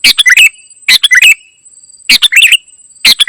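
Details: Ruby-throated bulbul (kutilang emas) singing in full gacor isian style: short bursts of quick chirped and whistled notes, about three phrases in three seconds, with brief silences between.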